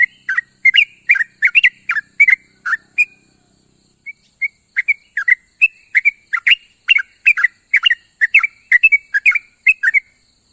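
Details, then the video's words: In the morning a sooty-headed bulbul calls its companions: quick bubbly whistled notes, a brief near-silent pause with a couple of soft notes midway, then the chatter resumes densely; steady hiss throughout. "suara burung trucuk memanggil kawan di pagi hari"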